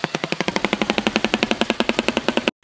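A shoebill clatters its bill in a rapid, even burst of dry wooden knocks, about ten per second for two and a half seconds, like machine-gun fire.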